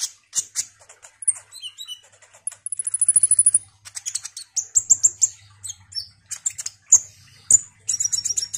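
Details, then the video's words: Kolibri ninja sunbird singing actively in captivity: a lively run of very high chirps, a fast even trill of thin ticking notes, then dense bursts of sharp squeaky notes, with a faint low hum behind. "Kolibri Ninja GACOR ini DIJAMIN bikin KONIN lain ikut EMOSI Rajin Bunyi"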